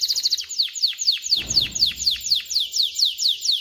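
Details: Male canary singing to coach chicks and prime females for breeding: a clear series of rapid descending whistled sweeps, about three per second, steady and evenly spaced, with a faint low rumble in the middle.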